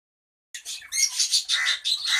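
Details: Java sparrows in a mixed colony give harsh, high chattering squawks in quick bursts, about four or five in two seconds, with several birds seeming to overlap.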